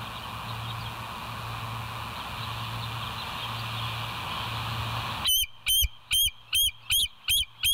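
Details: Bald eagle at the West End site, captured by a live cam late at night (22:50) on 16 September 2023: steady hum and faint insect chirps, then seven loud, high, evenly spaced piping notes.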